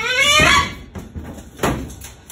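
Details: Pet Moluccan cockatoo indoors at bedtime, protesting about going into its cage: a loud rising harmonic squawk lasting about half a second, followed by scattered squeaks and knocks in a small room.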